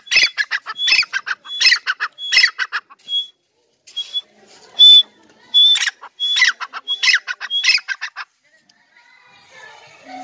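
A partridge gives loud, harsh, ringing notes with a clear whistled edge, repeated quickly about once a second in a long series, then briefly pauses.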